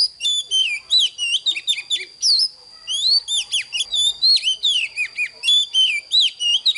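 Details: Oriental magpie-robin in full morning song, a recording for training young birds: continuous rapid sequences of varied whistles, downslurs and sharp chips with brief pauses, accompanied by an unchanging thin high tone.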